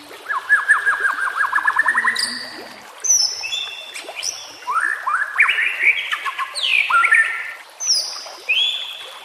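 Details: White-rumped shama, a lure and training recording with ambient nature sounds and water. A fast run of descending whistled notes opens, followed by long, sweeping, rising and falling whistles spaced a second or so apart.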